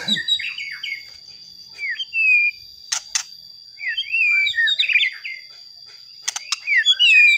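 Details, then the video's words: White-rumped shama singing as a lure to rouse other shamas into singing: varied whistled phrases, slurred rising and falling notes and rich warbles, broken by sharp clicks, over a constant high background tone. "Pancingan Murai Batu Agar Bunyi Ampuh Bikin Emosi Murai Batu Lain"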